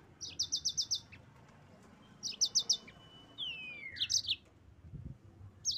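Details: Yellow-fronted canary singing to provoke rivals: short evenly spaced series of four or five high chirps, separated by pauses, with a thin downward-sliding whistle midway.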